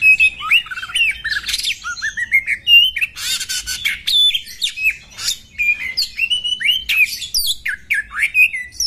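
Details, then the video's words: Oriental magpie-robin female, described as goading males into fierce fighting with full tail display, gives a lively flow of varied whistles, falling slurs, harsh rattling bursts and sharp high chips. "KACERMU CEPAT EMOSI TERPANCING KACER BETINA FULL BUKA EKOR TARUNG NGOTOT INI"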